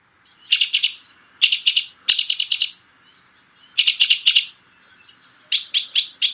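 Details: White-winged Crossbill song, a very chirpy, sharp staccato: notes in quick bursts of four to six, each burst separated by about a second of quiet.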